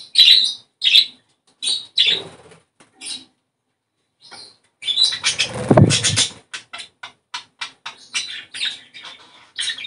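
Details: Budgerigar song aimed at stimulating breeding. High chirps and squeaks come first, then a loud dull thump or flutter, followed by a quick, rattling series of short, sharp chatter notes.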